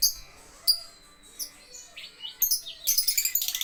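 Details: Lovebird at a bird playground giving scattered high chirps and short whistled notes, then a fast, rattling burst of repeated chips near the end.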